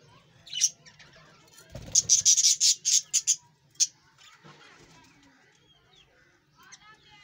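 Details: Australian parrots at their breeding colony give a run of shrill, harsh chattering notes, roughly ten sharp pulses in under two seconds, followed by isolated squeaks and faint twittering from other birds nearby.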